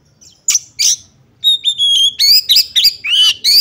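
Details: Female Oriental magpie-robin calling to rouse males into fighting. Two harsh rasping chips, then a steady thin high whistle, followed by quick bright slurred notes and buzzy chirps in close succession.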